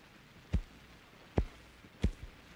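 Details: Red-phase Ruffed Grouse drumming on a mossy log in northern Alberta boreal forest in spring to proclaim territory: deep, muffled thumps about a second apart, then quicker, with a quiet background.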